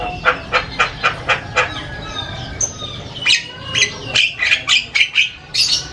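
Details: ['Javan myna singing in a loud chattering style with varied sounds: a run of harsh, evenly spaced notes about twice a second, then higher, squeakier chattering notes.']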